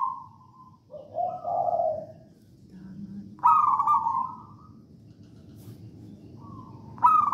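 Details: Zebra dove of local wild Javanese stock, songgo ratu style song meant to prompt other doves to sing; soft steady coos, then a loud burst of quick pulsed notes trailing into a level coo, repeated near the end.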